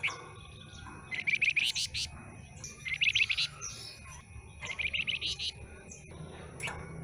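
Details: Newly obtained stub-tailed flamboyan sings three separated bursts of fast buzzy chattering notes topped with sharp high flicks, with quiet gaps and a continuous high hum behind.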